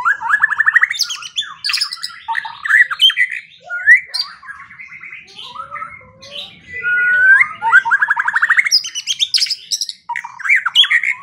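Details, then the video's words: White-rumped shama training song for morning and evening, fast stuttering trills and varied chattering phrases, with bursts of rapidly repeated notes at the start and end. "Pancingan dan Masteran Pagi dan Sore Hari Murai Pendiam Langsung Ikut Bongkar Isian | shama bird"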